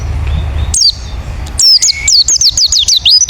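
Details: Wild forest white-eye call, used to lure other white-eyes into answering: after a second and a half of low rumbling background, a run of thin, high, sharply falling chirps follows in quick succession.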